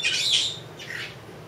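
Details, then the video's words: Two-year-old female Congo African grey parrot kept as a pet indoors, practising talking for the camera; two harsh high squawks, the first longer and bright, the second shorter, with a faint low hum beneath. "Are you a Pretty Bird?"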